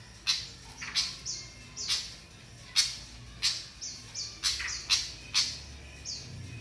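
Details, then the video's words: Flycatcher learning basic song: a lively run of about ten sharp, high chips, with short whistled downslurred notes between them, delivered at an uneven, quickening pace. "Burung Sikatan belajar ngeriwik dasar"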